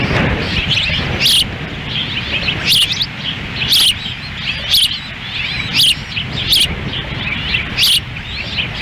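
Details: Osprey pair at their Lolo, Montana nest on June 10, 2017, the female feeding chicks in strong wind as the male stands by; repeated high, sharp whistled chirps about once a second amid wind rumble.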